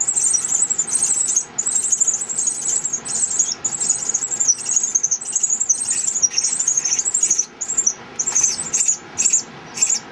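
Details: Three Pearly-eyed thrasher chicks in a nest up on a beam by a villa staircase beg in a steady chorus of shrill, high squeals, nearly continuous at first, then short bursts about every half second, as their mother feeds them and watches nearby.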